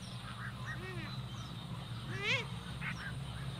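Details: Purple swamphen watched in nature, giving nasal, wavering honks with a rising-then-falling pitch, one loud arched call mid-clip and softer ones around it, over a steady low hum.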